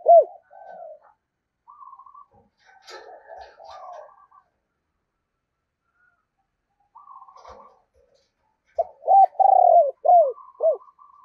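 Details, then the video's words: Decoy spotted dove cooing in the 'thổ' voice style: scattered soft murmured notes, a burst of rustling noise, a quiet stretch, then a loud series of deep, arched coos. "tiếng cu gáy - Chim Cu Mồi Giọng Thổ Gáy Hay"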